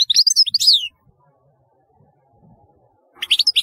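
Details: Twittering European goldfinch: a short phrase of sliding, high chirping notes, a silent gap of over two seconds, then a second rapid burst of bright notes.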